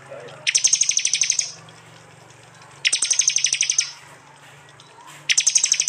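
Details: Mixed training track from East Java, phone-recorded, featuring prinia: three bursts of rapid, high, metallic ticking, each roughly one second long and spaced about two seconds apart, with a faint low hum beneath.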